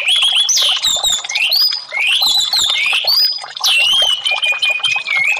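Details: Melodious orange-headed thrush song for bird therapy: clear fluty whistles sliding up and down, separate phrases rising then falling, with a brief pause before a long level whistled note at the close.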